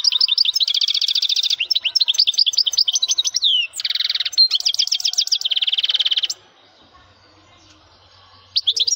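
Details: Male European goldfinch singing loudly: rapid, tinkling twittered phrases with buzzy trills and quick liquid notes, delivered in an almost unbroken stream for about six seconds, then quiet with a faint low hum before singing briefly resumes.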